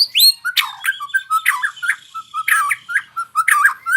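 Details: White-rumped shama practising its rolling song: high whistles mixed with sharp clicking notes and short warbled phrases, repeated in quick bursts about every half second.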